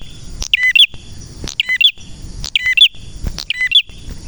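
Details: Male red prinia in full song, roughly one sharp chirping phrase per second, each a cluster of clipped high notes ending with a brighter upturned chip, over a steady high hum.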